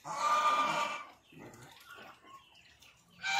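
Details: Adult breeding-stock pied Chinese geese give one loud, nasal, harsh honk lasting about a second, then softer scattered honks and farmyard murmurs, then another loud call begins; swan goose.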